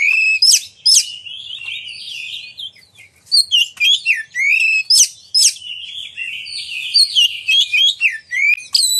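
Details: Oriental magpie-robin pouring out loud, varied song to make other magpie-robins sing and open their tails: rich whistled phrases, sharp high chirps and quick trills in steady bursts, with a brief pause early on.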